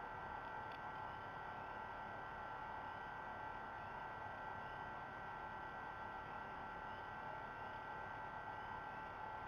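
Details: Steady hiss and electrical hum fill the whole recording at low level, with no animal calls.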